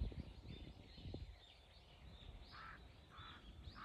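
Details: Three crows against a hawk on 21 October 2023; after a quiet, noisy start, three short, hoarse caws come near the end, each about a half-second apart, over a low background hum.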